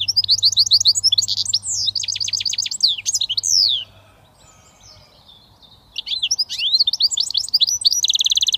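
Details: Goldfinch mule, a British finch hybrid, delivering switty song: rapid twittering notes and drawn-out descending sweeps for almost four seconds, a short gap, then more fast chirps ending in a dense buzzing trill.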